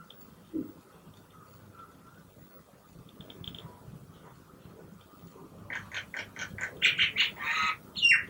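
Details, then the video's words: A single common myna visiting an urban balcony in Gurgaon, India, in the morning breaks a near-quiet start with a rush of harsh, squawky, chattering notes, about a dozen strident rasps in quick succession near the end. "Common myna calls | Funny sounds from a myna"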